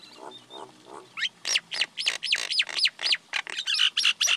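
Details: Common myna giving a rapid chatter: soft low croaks first, then a fast, fairly even series of harsh, scratchy notes with downward-swooping whistles, roughly four per second, over a light background hiss.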